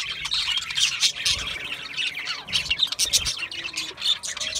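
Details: Busy budgerigar chatter of squawky chirps and fast buzzing warbles, rising and falling in loudness as the birds call over one another.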